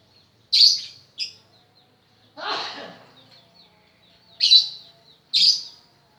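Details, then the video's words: Young-styled practice of ngekek by a lovebird: sharp piercing chirps in pairs, a rougher, broader burst of noise mid-way, then two more shrill chirps about a second apart, with quiet gaps between. "Burung Love bird belajar ngekek"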